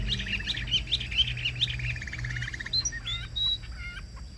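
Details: Caged Chinese hwamei, with a rapid chattering burst of buzzy repeated notes followed by a few clear, drawn-out whistles, against a low background hum.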